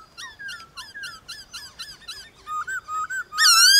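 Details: Morning song contest with wild birds, White-cheeked laughingthrush: a steady series of short rising notes about three per second, then slurred whistles and a loud, rich final phrase.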